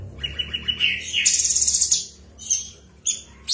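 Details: Cucak cungkok singing in a continuous, rapid ngebren style: a quick run of short rising chirps near the start, then bright, buzzy high trills and a few sharp separate notes, over faint low background hum.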